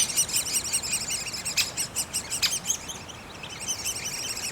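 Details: Great spotted woodpecker chicks in their nest, giving dense, high-pitched squealing chatter that surges and fades, with a few sharp knocks around the middle.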